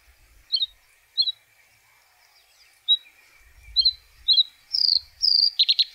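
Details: White-spotted bluethroat (Luscinia svecica cyanecula) singing: spaced short whistled notes near the start, then a faster run of louder buzzy, rising phrases and dense ringing bursts toward the end.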